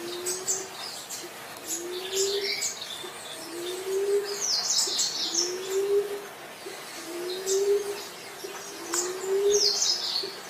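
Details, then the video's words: Green pigeon giving a series of six low, rising whistled notes, one roughly every two seconds, steady and mellow, while small birds chirp high in the background. "Burung punai"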